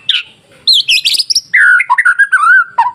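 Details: White-rumped shama singing masteran-style to provoke rival shamas: a high sharp note, a burst of chattering buzzy notes, then a run of smooth, wavering fluted whistles.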